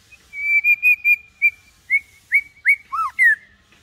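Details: White-rumped shama song for teaching young birds to sing, delivered low-key rather than aggressively: a run of clear level whistled notes in quick succession, then varied slurred and dipping whistles toward the end.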